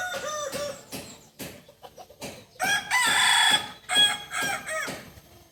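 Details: Native Kukuak Balenggek chicken of Solok, West Sumatra, crowing at a joint practice; a series of short separate downward-curving notes, then a loud sustained bright segment followed by more short bouncing notes, with clicks between.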